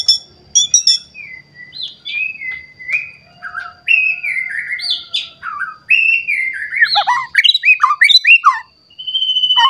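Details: White-rumped shama in an emotional state, seeking a rival and unloading its song repertoire: varied clear whistles, some long and level, others slurred up or down, then rapid tumbling phrases, over a faint steady high tone.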